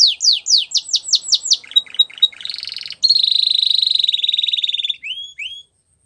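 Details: Spanish Timbrado canary song for training: loud falling slurred notes, short ticking notes and a buzz, then a long steady rolling trill, ending with two brief upward whistles.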